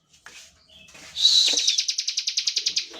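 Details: Short passage of bar-winged prinia 'ngebren' song used to make other prinias sing: faint scratchy notes, then one bright buzzy trill of around fifteen rapid, regular pulses.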